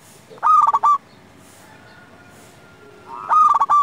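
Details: Active local zebra dove song meant to draw answers from other doves: two loud, clipped, trilled cooing phrases about three seconds apart, with a quiet steady background between them.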